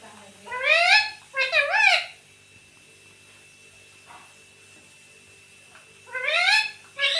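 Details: Home-kept talking parrot, said to say "Mummy". Two quick, squawky, word-like phrases with rising-falling pitch, a long quiet gap with faint hum, then two more loud squawks.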